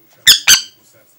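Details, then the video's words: An angry pet Aratinga parrot indoors gives two loud, harsh, raspy squawks in quick succession, each about a fifth of a second long, then falls quiet. "Попугай злится Angry parrot"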